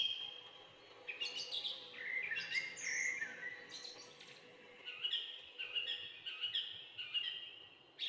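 A bulbul gives bright, bubbly chattering notes, slurred and warbled between mid and high pitch, in bursts over several seconds against a faint steady hum.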